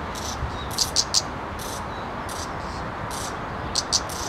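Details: Two redstart fledglings perched on a branch, begging: thin, very high chirps. Some come singly and some in quick pairs, spread over a few seconds, against a soft steady hiss.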